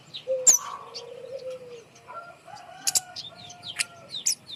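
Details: Kemade bird hung high to prompt reluctant birds into singing. Low, steady, whistled tones, several in succession, are broken by a few sharp high chirps.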